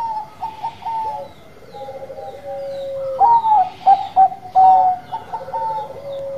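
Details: Zebra dove of the Bangkok type singing actively: clear, pure cooing notes that stutter in short hops, then stretch into long, level tones sliding gently downward. A louder rolling burst comes midway, over a faint low hum.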